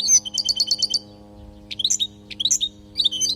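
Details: European goldfinch in Palestine singing for training young birds, opening with a fast evenly repeated chirp series, followed by scattered bright twittering phrases, with a steady low electrical hum throughout.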